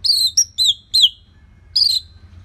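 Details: Orange-headed thrush song used to prompt other birds to sing: four bright, slurred whistles sliding downward, closely spaced, then a short gap and one more drawn-out falling whistle.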